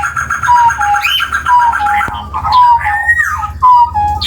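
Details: Javan chestnut-bellied partridge, an Indonesian endemic of West and East Java, giving a long call: clear whistled notes that slide downward, repeated about once a second over a low hum and faint background sounds.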